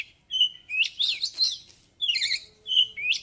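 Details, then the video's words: Oriental magpie-robin in full continuous song, showing off its repertoire of learned phrases: clear whistled notes alternate with rapid twisting, warbled high phrases in short bursts about every half second. "Kacer Gacor ngobra (Bongkar Isian)"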